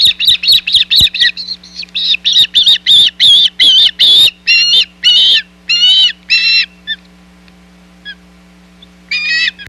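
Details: Osprey calling at the Hog Island nest on 17 July 2020 while a shad is delivered. Fast shrill chirps run for about five seconds, then slow into spaced, squealing notes with gaps between.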